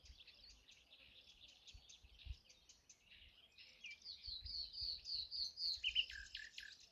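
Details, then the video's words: Bird song outdoors: quiet high chirps and trills at first, building to a louder run of repeated clear whistled notes, then lower slurred notes near the end, with faint low rumble beneath. "birds song"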